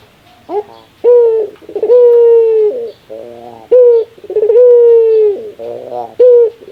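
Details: Rare laughing call of a Barbary dove: a clipped coo, a drawn-out level hooting note, then a gravelly chuckling stutter, repeated about twice with another short coo to close.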